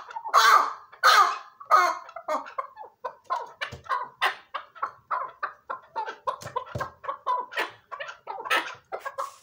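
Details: Chukar partridge opening with a few loud, harsh notes, then settling into a long run of softer, quicker chuck calls.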